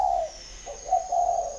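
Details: Spotted dove at Ba Vì, Hanoi, Vietnam, giving a short coo followed after a pause by a longer, slightly wavering double coo, clear against a faint high hum.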